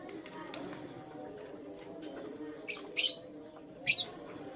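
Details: Lutino lovebird chirping in the morning: two sharp, bright high-pitched chirps near the end, a second apart, over a faint low hum.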